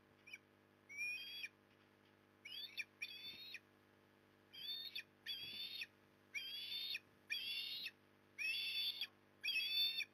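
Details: Osprey at the nest at Port Lincoln, Australia, on 15 September 2020, during an afternoon fish delivery: harsh, whistled screeching bursts, each about half a second, repeated roughly once a second with short gaps, over a steady low hum.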